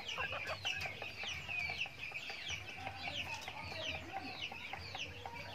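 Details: Backyard chickens during their daily feeding, a dense chorus of high downward-slurred chirps repeated rapidly, with low clucks and soft rustling beneath.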